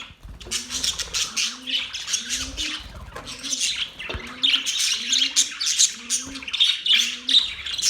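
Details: Budgerigars singing and chirping in a mating context: dense, scratchy, high warbling chatter from several birds that runs nonstop, over a low, arched hooting tone repeated about every 0.7 seconds.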